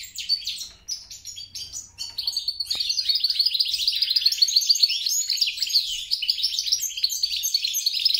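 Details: Goldfinch mule from European and grey-crowned parents, starting with a few scattered chirps before breaking into a sustained, rapid stream of buzzy, tinkling notes and trills.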